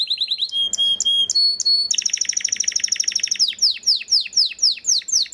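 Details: {'caption': 'Belgian canary, a breeding male, sings a quick trill, bright held whistles, a dense rolling passage and a run of descending sweeps.'}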